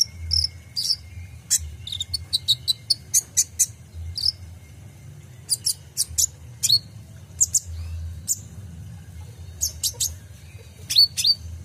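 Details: Purple-throated sunbird (kolibri ninja), full 'isian' song with 'tembakan' bursts, played for training caged songbirds: sharp, very high chirps and short twittered bursts, some in quick clusters, separated by brief pauses, over a low steady hum.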